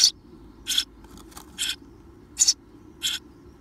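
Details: Eurasian tree sparrow nestlings, seventeen days old, just before fledging: harsh, raspy, broadband bursts, about six short scratchy notes at uneven intervals of half a second to one second, over a faint low background hum.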